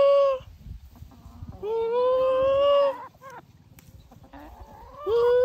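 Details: Farm chickens giving long, loud, nasal drawn-out notes, each starting with a quick rise and holding steady for about a second, separated by quieter pauses.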